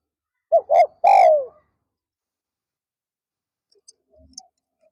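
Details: Decoy spotted dove calling in the afternoon to draw in wild doves: a quick pair of soft coos, then one long, falling coo, followed by silence and a few faint knocks.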